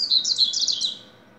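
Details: Double-collared seedeater singing a rapid, high-pitched run of bright, slurred twittering notes lasting about a second before fading to silence.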